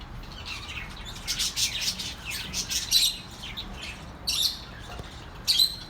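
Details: Soothing pet bird sounds for lonely birds: bursts of high twittering chirps, with sharp louder squawks near three, four and a half, and five and a half seconds between quieter pauses.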